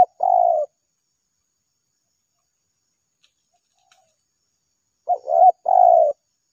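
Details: Spotted dove drawn in by a trapper's lure, giving a long falling coo, then a silent gap of several seconds before a full phrase of a stuttered double note and a sustained coo.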